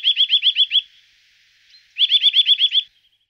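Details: Eurasian nuthatch calling in two rapid bursts of seven or eight ringing, rising whistled notes each, separated by about a second of near silence; clean recording without other sounds.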